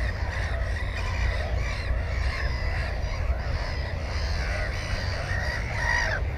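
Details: At a nest with one egg and a newly hatched chick, a Black-headed gull gives rasping, downward-curving calls throughout, one sharper cry near the end, with constant low wind rumble behind.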